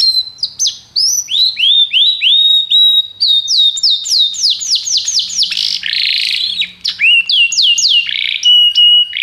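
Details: Canary singing a training song of upslurred whistles, quick trills of looping sweeps and a buzzy roll, ending on a steady pure whistled tone, with a faint low hum behind.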